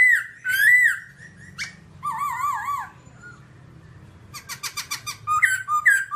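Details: Babbler singing a varied series of clear whistled notes, some wavering up and down, broken by short pauses and ending in a quick run of short repeated notes.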